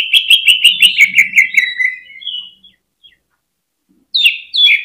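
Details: Greater green leafbird (cucak ijo) giving rapid 'ngentrok' chatter to spur other birds to sing: a quick run of repeated notes falling in pitch, a brief pause, then two sharp higher phrases.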